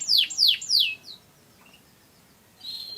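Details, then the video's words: Canary song fragment: three loud, high, steeply falling whistled sweeps in quick succession, a short faint note, then near silence before a brief thin buzzy note at the end. "Burung Kenari Gacor"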